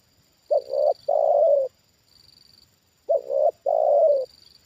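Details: Trained spotted dove reacting to a wild bird brought down for the second time. Two loud cooing phrases come about two and a half seconds apart, each a quick note then a longer rolling coo. A high whine pulses in the background.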